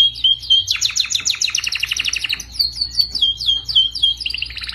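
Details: Training song of a canary, played so caged canaries learn to sing better: rapid trilled phrases of repeated downward-sweeping notes, about three to four per second later, with bright high whistles.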